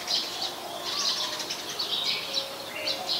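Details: Streak-eared Bulbul, a very common resident, recorded in Ubon Ratchathani, Thailand, on 4 February 2020: bursts of bright, chattering high notes, repeated about once a second, over a steady hiss of background noise.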